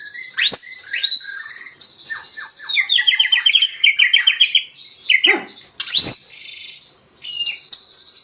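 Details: Song of a white-rumped shama used to provoke other birds: varied loud phrases with sweeping whistles and a rapid series of about a dozen repeated notes, broken by a couple of harsh sharp calls.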